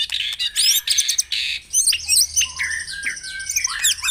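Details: Varied melodious shama song from the morning dew session meant to prompt caged birds to sing: rapid high rising sweeps and chattering notes, then clear falling whistles in quick succession.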